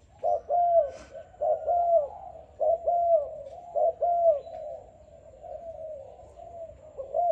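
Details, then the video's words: Young selected Malaysian spotted dove repeats deep, soft coo notes in clusters, each ending with a slight downward slide, then trails into quieter murmuring coos before starting again. "Cu gáy Malaysia/chim tơ tuyển chọn"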